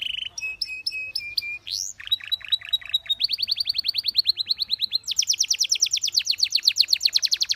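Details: Belgian canary singing for canary training: clear steady whistles repeated about twice a second, a rising sweep, then increasingly fast rhythmic trills of sharp notes climbing to a rapid high chatter.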